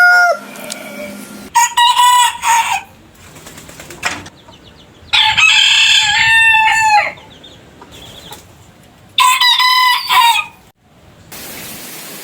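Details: Three loud rooster crows in sequence, each bright and harmonic and about two seconds long, with a tail from an earlier crow at the start and quiet rustling between them.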